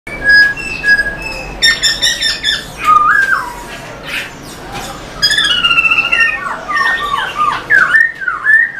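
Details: Black-throated laughingthrush singing energetically while dancing its tail, used to fire up other laughingthrushes: clear whistled notes, then a burst of rich, warbling, up-and-down phrases with brief harsh squawks between.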